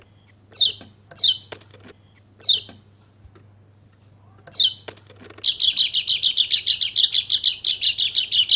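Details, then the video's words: White-eye of the Bali Dakun type, lure audio for rousing quiet males: four spaced, high, falling whistles, then a sudden steady stream of quick, shrill, repeated chirping notes. "PANCINGAN PLECI MACET BUNYI JADI EMOSI DAN GACOR"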